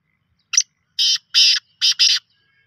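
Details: Black francolin giving its harsh phrase: a short sharp opening note, then four loud grating, buzzy notes grouped two and two, the whole phrase lasting under two seconds with silence around it.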